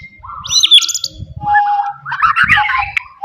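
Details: Forest white-rumped shama singing loudly to stir up rivals: mixed whistles and chattering notes at moderate volume, with low thumping background noise.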